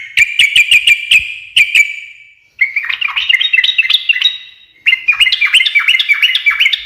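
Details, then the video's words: Energetic ngekek chatter from a yellow-vented bulbul (trucukan), meant to get other birds answering: a few sharp clicks, then quick rasping notes run together in two lively bursts. "kicau suara trucukan gacor ngekek garuda menjadikan burung nyaut seketika"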